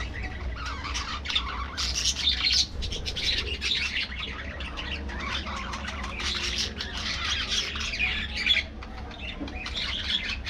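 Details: Aviary colony of budgerigars giving a constant chorus of twittering warbles and sharp chirps, with bursts of louder calls around the second and eighth seconds, over low background noise.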